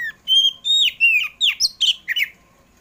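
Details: Oriental magpie-robin of the kacer poci type singing in the afternoon, a recording used to lure pet birds into song: about eight loud, clear whistled phrases, some sliding up or down, in a quick run lasting two seconds, then quiet.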